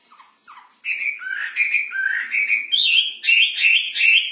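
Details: Wambi (hwamei) cage bird in loud song: two soft low notes, then a burst of rapid rising whistles and buzzy warbled phrases repeated roughly every half second.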